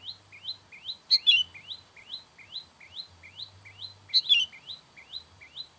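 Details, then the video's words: Sooty-headed bulbul calls used to attract wild bulbuls: a steady series of short rising chirps, about three per second, broken twice by louder jumbled, bubbly bursts of notes. "SUARA KUTILANG MANGGIL KUTILANG LIAR"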